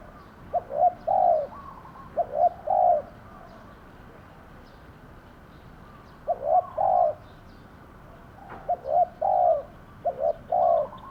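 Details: Spotted dove kept as a decoy bird to lure wild doves into a trap pen: low, mellow cooing phrases, each a short note or two then a longer drawn-out coo, repeated in bouts with quiet gaps between.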